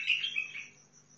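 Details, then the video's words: Bulbul described as a Sihani bulbul from Al-Faw, Basra, giving one short warbled phrase of bright, slurred notes lasting under a second and fading quickly, with a faint steady high whine behind it. "طيارات بلبل سيحاني بلابل الفاو بلبل البصره"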